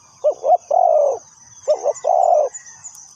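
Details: Spotted dove serving as a trapping lure, two cooing phrases, each two brief throaty notes followed by a long soft coo, repeated about a second apart against a shrill insect hum.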